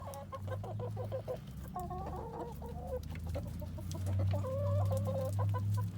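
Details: Chickens on an urban farm in Colorado Springs, some eating a pumpkin, give runs of rapid nasal clucks and warbling cackles, repeated several times a second in bursts, over a steady low hum.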